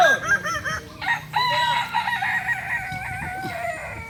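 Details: Kokok Balenggek cocks, native chickens of Solok, West Sumatra, crowing at a practice event: a short opening crow, brief dips, then a long, steady crow with wavering, stepped pitch that fades slowly.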